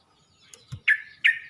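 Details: Two loud, bright chirps from a Yellow-vented bulbul calling other bulbuls, each with a short ringing tail, following a soft low thud.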